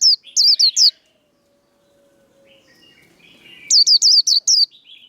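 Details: Japanese white-eye giving a fighting song, used to fire up caged birds: bursts of high, sharp whistled notes, each bending down then up, in quick runs of four to six, separated by a long quiet pause.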